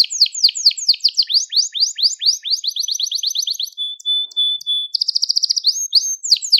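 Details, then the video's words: Crested Gloster canary in full song, delivering a long series of sweeping downward-slurred notes, then a thin steady whistle and a quick bright trill, all high-pitched and clean. "Muhteşem Tepeli Gloster Kanarya Ötüşü | Gloster Kanarya Sesi"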